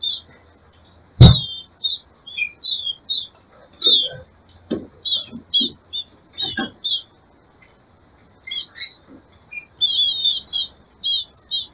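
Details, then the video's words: Female green-winged saltator in breeding season, calling to stimulate the male: long run of short high chirps and paired notes, with a loud knock near the start and soft thuds between. "SEU TRINCA FERRO VAI CANTAR MUITO EM 10MINUTOS"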